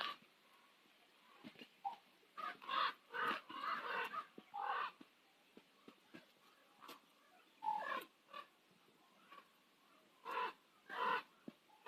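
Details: Common ravens at sunset on Nose Hill in Calgary give a tight cluster of raspy croaks. A quieter gap follows, then separate hoarse calls return in pairs.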